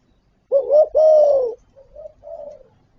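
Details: Spotted dove (cu gáy) from a full set of calling, urging and cooing, used to stir birds into answering. Two loud, mellow coos are followed by two softer, shorter coo notes, on a quiet background.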